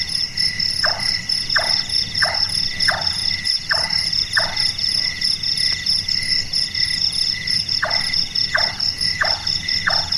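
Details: Night-active large-tailed nightjar, locally burung tukang kubur, giving carpenter-like knocking calls: seven hollow chonks roughly half a second apart, a short break, then four more, with constant high insect trilling behind.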